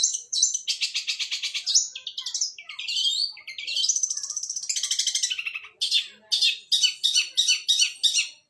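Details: Long-tailed shrike singing suara gereja while fighting: buzzy trills, rising and falling slurred phrases, a long harsh rattle, then a run of sharp separate chirps.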